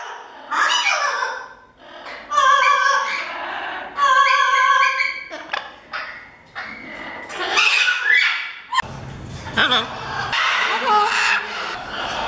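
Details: A parrot at a parrot sanctuary mimicking human speech, repeating a word like hello in stretched, wavering syllables with stacked tonal bands, interspersed with harsher squawk-like notes, indoors.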